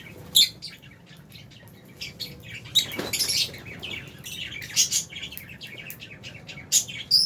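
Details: Albino and Fisher's lovebirds trade high, sharp chirps and squeaks, with loud single notes at the start and end and a soft broadband rustle near the third second.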